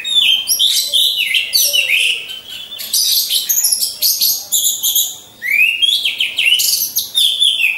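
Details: Lure recording of caged orange-headed thrushes hung in a row for training contest birds: dense, fast, high warbled phrases with rising slurred whistles, almost continuous throughout, with a short pause midway.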